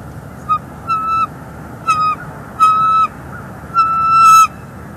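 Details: Female bald eagle on a Northeast Florida nest, filmed by live nest cam in 2021, calling each time her mate brings a stick while she eats his fish; four clear, drawn, slightly nasal notes with harmonics, each longer than the last, over faint hiss.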